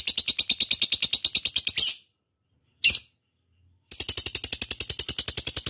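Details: Lovebird 'ngekek' song used to lure other lovebirds. A rapid, shrill, pulsing chatter runs for two seconds, breaks into silence with one short burst, then resumes at the same quick pace.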